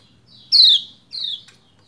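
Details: Two loud descending chirps from a female Lombok white-eye summoning the male to sing, the first bright and sharp, the second softer, followed by a faint click.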